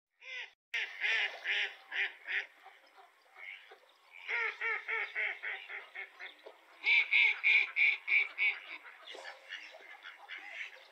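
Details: Mallard (Anas platyrhynchos), quack series.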